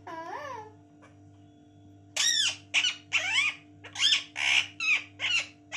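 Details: Female pet parrot kept indoors, said to be calling for mummy; a short rising-falling note, a pause, then a run of eight harsh, harmonic speech-like squawks over a steady electrical hum.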